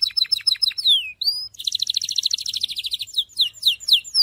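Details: Syrian canary singing: descending chirps, a downward-sliding whistle, a brief pause, then a rapid, buzzy trill of high notes followed by sharp sweeping phrases.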